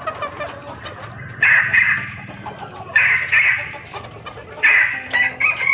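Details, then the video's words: Female red junglefowl in heat calling to males, a lure recording: three short, harsh, clucking bursts spaced about one and a half seconds apart over a steady high insect whine. "SUARA PIKAT AYAM HUTAN BETINA birahi memanggil jantan"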